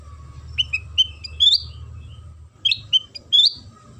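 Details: Sooty-headed bulbul lure song, played to set other bulbuls singing: bright chirped notes, some rising sharply, in two loose bursts, with a steady faint tone humming underneath.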